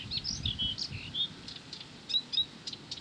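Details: Blyth's reed warbler in steady song, a quick string of high clear whistles, short trills and sharp ticks with little gap between notes, over a faint low background hum.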